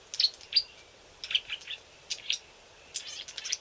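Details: Young Green-backed camaropteras hidden in dense riverbank bush, apparently still learning to call. The high, thin chips come singly or in small clusters, uneven in spacing and pitch, against a quiet background.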